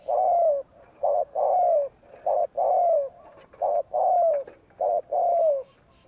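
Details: Spotted dove 'gù kích' coo, a style meant to provoke wild doves. A steady run of mellow, low coos: a long slurred note, then a short clipped one, cycling roughly every 1.1 seconds. Faint clicks and ticks behind.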